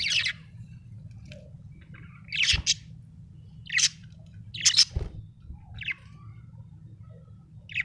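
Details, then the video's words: Contented pet budgie uttering scattered short, sharp chirps about once a second, some rising, against a constant low hum and an occasional thud. "happy budgie chirping sound"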